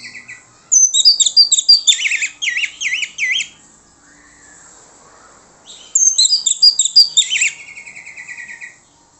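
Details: Orange-headed thrush song used as a lure to draw answers from other birds: two loud bursts of rapid, varied whistled and twittering notes, full of quick rising and falling slurs, separated by a quiet pause.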